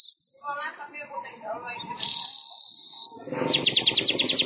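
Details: Weaver (manyar) song used to train songbirds: soft warbled phrases over background murmur, a long bright buzz, then a fast rattle of evenly repeated high notes.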